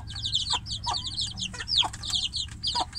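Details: Chicks caged apart from their mother hen call to her with bright, shrill, falling peeps in quick overlapping bursts, a few louder downslurs standing out above a soft low rumble.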